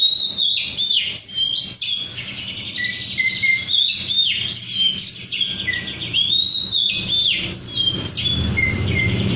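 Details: Vigorously singing oriental magpie-robin (kacer), a 'rudal Korea' untrained bird: loud high phrases of swooping whistles, sharp chips and rattling trills, repeated in rapid varied bursts with a low rumble near the end.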